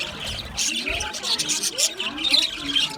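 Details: Aviary budgerigars in steady chatter, sharp high chirps overlapping with softer curved warbling notes, many birds calling together without a break.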